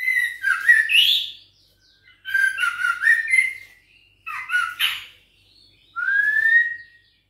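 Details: Caged juvenile white-rumped shama, six weeks old, Bahorok stock, answering a challenge with four separate rich phrases of warbled, whistled and scratchy notes, each about a second long, with short pauses between.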